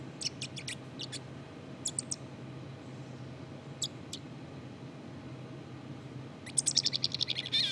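Black-capped chickadee subsong: soft, scattered high chips and squeaks, ending in a quick run of twittering notes, over a steady low hum.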